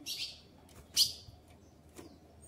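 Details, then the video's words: Female ultramarine grosbeak soliciting a mate: a buzzy high chip, then a loud sharp chip and a fainter one, spaced about a second apart. "Fêmea de Azulão Shakira Pedindo Gala"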